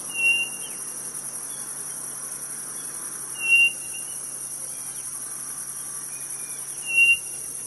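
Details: Quail from the Brazilian Nordeste: short pure whistles, some slightly doubled, spaced a few seconds apart against a steady shrill insect chorus.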